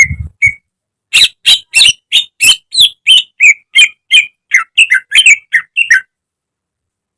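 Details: Greater green leafbird used for training caged birds: two opening whistles, then a regular series of loud harsh chirps and slurred whistles, about three per second, ending abruptly.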